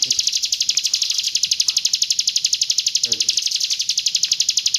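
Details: Hill prinia from East Java singing in the roll tembak style: a high, fast, even trill of ticking notes, about four per second, running unbroken, with a brief low voice murmur near the third second.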